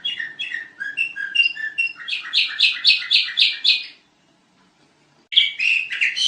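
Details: Sooty-headed bulbul delivering quick chirped notes that build into a loud run of rhythmic, rapidly repeated phrases, followed by a second of silence and then a fresh burst of bright chirps.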